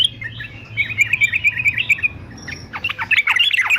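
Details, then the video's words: A fighter male yellow-vented bulbul for song training sings a run of quick bubbly notes, pauses, then bursts into sharp, rapidly descending chirps and warbles. "TRUCUKAN JANTAN FIGHTER ANTI BISU"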